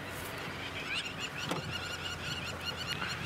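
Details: Crowned lapwings flying over cheetahs at sunset on a December 8, 2016 safari give rapid, strident high notes in quick series, agitated at the predators, against a steady background hiss and a low engine hum.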